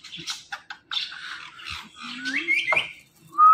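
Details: Talkative pet green parrot producing a run of squawky speech-like syllables, then a slurred rising whistle and a loud clear whistled note at the end.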